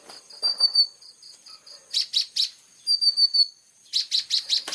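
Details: Plain-throated sunbird in clear, sharp 'tembakan' song. Thin high whistles and short piping notes lead into clusters of loud buzzy chips repeated in quick succession, ending with a rapid burst of five or six chips.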